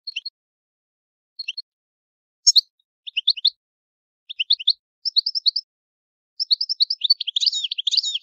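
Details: European goldfinch singing the old-style Italian song: short, spaced high twittering phrases that grow longer and denser, ending in a continuous tinkling chatter.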